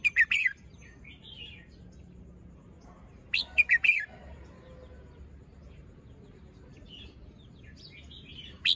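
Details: Red-whiskered bulbul in the morning, fluffed up and still moulting, showing off its song phrasing: short bright chirpy bursts of quick liquid notes at the start, mid-clip and end, with quiet pauses between and faint softer twitters.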